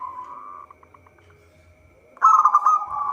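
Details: Local zebra dove recorded as a trapping lure: a soft sustained coo fades into a few quiet spaced notes, then a sudden loud, rapid rolling burst of cooing notes.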